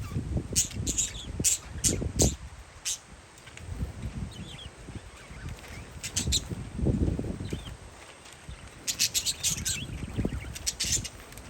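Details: Parakeets outdoors on a windy day: quick runs of high chirps at the start and near the end, partly masked by strong low gusts of wind rumbling through the middle.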